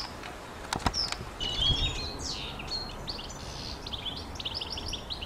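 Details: European goldfinch singing: a fast, high, tinkling twitter of short chirps and trills that becomes a steady run of rapid notes, with a few sharp clicks early on and constant low background hiss.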